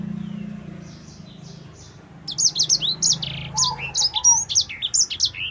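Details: Black-throated canary (sanger), a fighter-type vigorous singer used for tutoring other birds, begins faintly, then bursts into a rapid string of sharp high chirps and slurred notes, with a soft lower whistle and low background hum.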